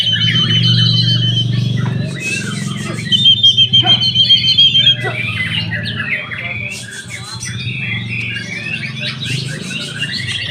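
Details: Young white-rumped shama at a songbird contest in Indonesia, singing quick whistled phrases and rapid chattering trills repeated about three per second, with loud low music beneath and other birds calling around it.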